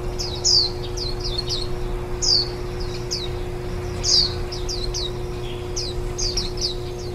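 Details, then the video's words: Warbling white-eyes at the nest while nestlings are fed, 10 days into brooding and one day before fledging, recorded on site on 23 July 2018: short high descending chirps in loose bursts, some louder notes, over a steady low hum. "綠繡眼-青笛仔 育雛 錄音"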